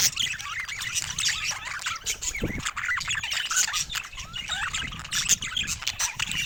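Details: Pet budgies produce a lively stream of rising and falling chirps, squeaks and short warbles, many birds calling over each other at once.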